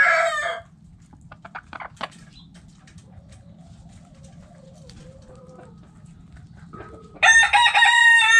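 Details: Chickens kept in a backyard coop: the tail of a loud crow opens, soft clucks and murmurs follow through a quiet stretch, then another strong rooster crow starts near the end.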